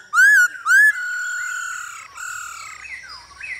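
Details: Male Hwamei singing alongside a female's stimulating calls, recorded for training birds to sing: two loud, rich upslurred whistles, then long, steady, slightly wavering whistled tones with softer overlapping notes.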